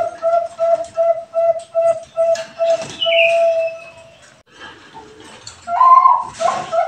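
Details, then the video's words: Bangkok-type zebra dove song, played as a lure to make other doves sing. Clear mellow coo notes are repeated about every third of a second, then a falling whistle and a louder warbled phrase follow. "PANCINGAN PERKUTUT BANGKOK SUARA BIKIN YANG LAIN GILA BUNYI"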